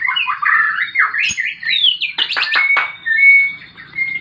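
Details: White-rumped shama in fighting mode, a varied song of rich whistled phrases around mid pitch, then a few sharp broadband clicks and short steady high whistles.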